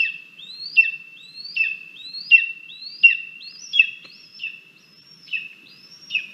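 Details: Nest-camera recording of a lesser spotted eagle chick at feeding time, 17 August 2022, while it pushes the adult female aside over a meal of frogs and a vole: a steady whistled tone broken by rising, upslurred squeals repeated in a rhythm.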